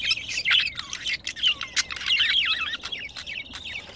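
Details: A budgerigar pair mating gives a rambling, squeaky warble of rising and falling whistled notes and soft chatter.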